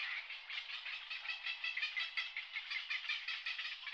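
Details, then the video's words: Brent geese in winter at Strangford Lough, County Down, Northern Ireland. A thick wash of rough, overlapping gabbling calls pulses irregularly, with no single bird standing out. "Brent geese"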